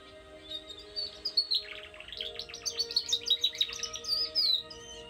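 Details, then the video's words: Singing domestic canary from a breeder's stock, offered as a tutor for young birds: continuous high warbling with fast rattling trills and sweet whistled notes in rolling bursts, over a low steady background hum. "Canary singing - it can be a training video for your bird"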